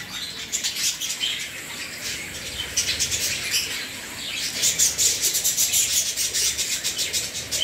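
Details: A colony of budgerigars in Bangalore chatter together in a steady stream of high, scratchy chirps and warbles.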